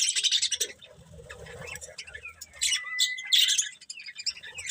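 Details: Several colourful budgies chatter in dense high chirps and squeaks, with a short clear whistled note in the middle and soft low rustling like wing movement.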